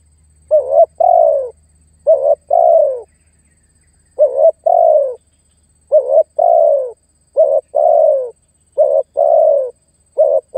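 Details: Spotted dove calling to draw in and pressure a rival, used to lure wild birds: steady run of low coos, a short double-pulsed note followed by a long falling coo, repeated roughly every one and a half seconds, with a faint low hum underneath.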